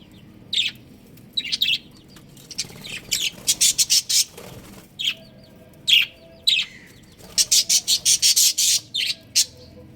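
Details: Budgerigar breeding pair, caged pets, giving bursts of sharp high chirps in short clusters with quiet gaps, then a fast run of repeated chirps near the end; a faint low hum underneath.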